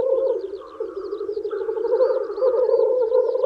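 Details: Spring display of male black grouse wooing females: rich continuous bubbling rookooing with a hissed rush near one and a half seconds, and a run of small high chirps from other birds across the top.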